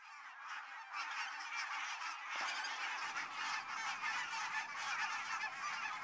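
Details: A flock of barnacle geese on spring migration in mid-May in North Karelia, Finland, fills the air with a dense, continuous chorus of short, yapping barks, many birds calling over one another.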